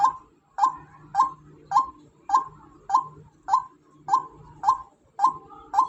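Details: Repeated calls of a female white-breasted waterhen: clipped, nasal croaks pulsing at a regular beat of roughly two per second, with low droning noise underneath.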